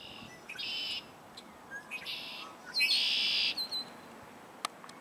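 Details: First red-winged blackbirds of 2022 giving harsh, buzzy trills three times, each led by short clipped notes, with a few sharp ticks between in a quiet background.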